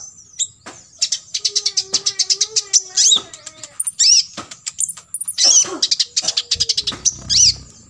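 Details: In 'full tembakan isian' style, meant as a tutor recording for imitating birds, an olive-backed sunbird pours out stuttering high trills broken by squeaky downslurred whistles and sharp ticks, with a faint lower warble and a steady thin high tone.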